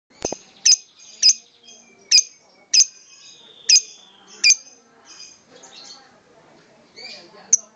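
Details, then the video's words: Lovebird singing in the Ngokop style: sharp, high chirps repeated roughly every half second, each with a bright downward flick, then softer scattered twitters; a brief human voice at the start. "Love bird scoopy Ngokop SF"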